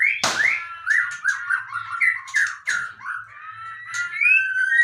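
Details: White-rumped shama (murai batu), a fighter-style bird, delivering a continuous run of warbled, slurred whistles after a sharp opening note, phrases rising and falling without pause.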